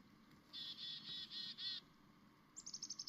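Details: A chickadee in the morning gives five harsh, buzzy dee notes in quick succession, then a rapid run of six thin, high chips.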